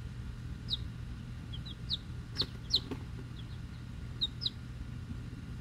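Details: Week-old chicks, Rhode Island Red and Black Sumatra hens plus one mystery chick, hatchery-bought: scattered short high peeps, single and paired, over a steady low rumbling hum.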